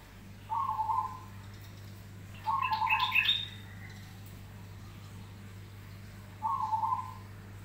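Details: Zebra dove of the crested variety singing steadily: three short cooing phrases at a mid pitch, about two seconds apart, the second overlapped by a brighter higher burst, over a steady low hum.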